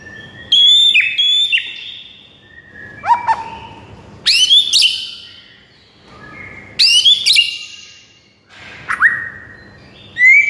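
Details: White-rumped shama singing to rouse a silent bird: separated phrases of piercing upswept whistles with bright overtones, a lower whistled note, and short descending slurs, roughly every two seconds.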